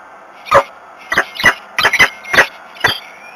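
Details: Peregrine falcon at a Włocławek nest, Poland, during a midday feeding on 7 May 2021: a rapid run of about seven harsh, grating calls, some doubled, roughly one per second, over a low background hum.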